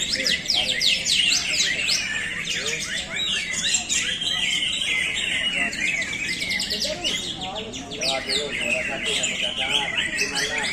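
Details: Greater green leafbird, a caged bird from a dealer, headed to Bandung, delivering a loud, energetic song of rapid chirps, trills and quick slurred notes, about three per second, with men talking quietly in the background.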